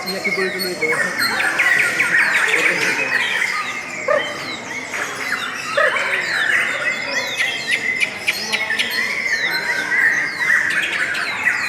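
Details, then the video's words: Lovebirds sing a long, sweet song of busy overlapping chirps and thin squeaks, with short downward-sliding notes and a constant high, buzzy chatter throughout. "LOVE BIRDS suara yang indah dan Panjang"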